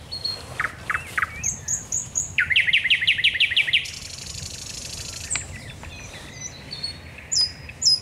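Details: Singing at night by the Raszyn Ponds on 10 May 2021, the thrush nightingale opens with deep knocking notes and high whistles, then a fast loud rattling trill, a drawn-out hiss, and sparse high chirps.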